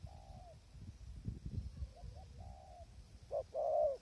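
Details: Spotted dove cooing during decoy trapping in strong wind; soft drawn-out coos, a faint quicker pair, then a loud burst ending in a long coo, with gusts of low wind noise.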